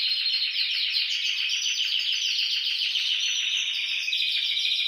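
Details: Canary singing to urge other canaries into song: one unbroken, very fast buzzy trill held steady at a high pitch throughout.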